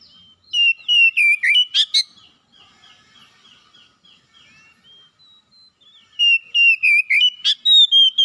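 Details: Captive Oriental magpie-robin kept at home, singing again after a silent spell: rapid series of clear, high whistled notes with a scratchy burst, a quieter stretch of faint repeated notes, then another loud whistled run.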